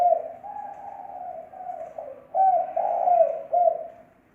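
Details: Spotted dove lure cooing (thổ mồi style), clean recording: a soft, low, drawn-out coo followed by a louder burst of three mellow notes that fades out.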